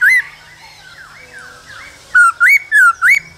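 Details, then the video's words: Laughingthrush male in the cold season singing and dancing with female calls: one loud whistle, soft swooping tones, then four loud looping whistled notes in quick succession. "Khướu trống hót múa kèm tiếng mái ro kích bổi mùa lạnh"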